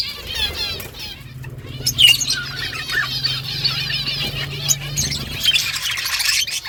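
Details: Morning budgerigar flock talking among themselves, a continuous mix of warbled chatter and squeaky chirps from many birds at once, with a low steady hum underneath.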